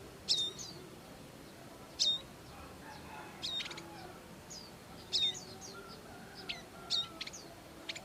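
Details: Bar-winged prinia, a parent tending young in the wild, gives short bright chirps in clusters about every one and a half seconds, each a quick high note dropping slightly, over quiet natural background.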